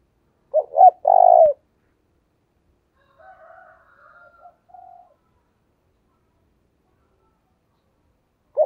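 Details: Decoy spotted dove calling to draw in wild birds. A three-part low coo: two brief notes and a long held note. Softer, fainter cooing follows, and another phrase begins at the end.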